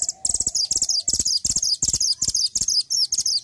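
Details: Mantenan gunung singing actively as a master bird for training songbirds: rapid bursts of very high, scratchy chattering notes, about a dozen short phrases in quick succession, with a faint low hum underneath.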